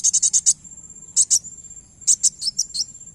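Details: Piercing high chirps of a kowul, used for luring birds: a fast burst of five notes, a pause, a pair, then a looser run of twisting high notes, all against a faint constant high-pitched hum.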